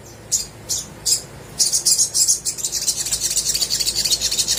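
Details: Little spiderhunter song used to prompt lazy birds to sing: three spaced high chirps, then a fast, dense chattering trill of thin notes to the end.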